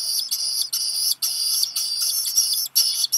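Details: A Black guillemot chick at Seal Island National Wildlife Refuge, Maine, USA, hearing a parent arrive with rock gunnel, begs with high, hissy, wheezing bursts about every half second, nearly continuous; 13 July 2021, 12:02 PM, chick hatched 29 June.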